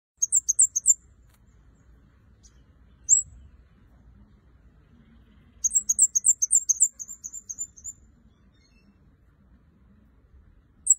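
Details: Red-headed kemade singing actively: quick bursts of high, sharp chirps repeated rapidly in short runs, with a lone chirp between the bursts and quiet gaps in between.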